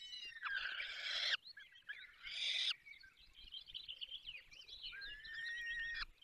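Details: At a falcon nest in the Barycz Valley, Poland, while the young are fed: two harsh screeching bursts, then a run of softer chittering notes and a final thin drawn-out wail.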